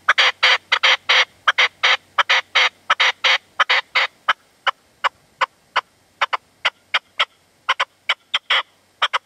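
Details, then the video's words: Partridge with decoy (reclamo) in the sierra at sunset, Manzanares, 27 February 2014, the male holding back. Dense loud rasping notes open the sequence, then thin into sharper, spaced clicks with a brief harsh burst near the end. "PERDIZ Y RECLAMO"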